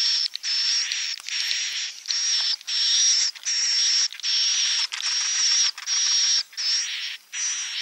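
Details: Swiftlet roosting call used to lure swiftlets: bursts of dry, buzzy chirping with a thin high whistle, repeated roughly every second in short rhythmic pulses.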